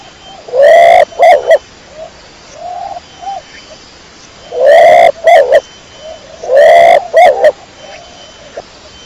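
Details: Kecor domestic pigeon giving clear, loud cooing phrases, each a drawn-out coo and two clipped notes, three phrases in all, with faint murmured coos in the pauses.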